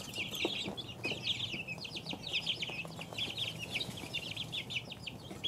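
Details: A group of two-week-old chickens chirps steadily, many thin high peeps layered in a continuous chatter, with faint knocks and a low hum.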